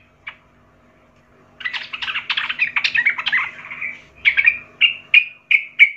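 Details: Sooty-headed bulbul, young bird from the forest, singing for training young birds: a dense warbling, jumbled phrase building over two seconds, followed by five evenly spaced clear chirps.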